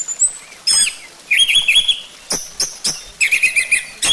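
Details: Orange-headed thrush singing in a lure recording to prompt the bird to sing: quick rolling whistled trills, buzzy scratchy bursts and short sharp notes in uneven phrases.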